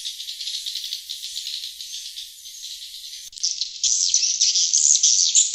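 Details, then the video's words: Swiftlet call used to attract wild birds: a rapid high rattling chatter pulsing about three times a second, cutting abruptly midway into a brighter, louder stretch of buzzy twittering. "Suara Panggil Sriti Luar"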